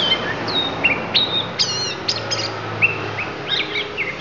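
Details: Oriental magpie-robin, Lampung type, pouring out isian: rapid high whistles, short harsh buzzy notes and chips, varied and irregular, over a low steady hum.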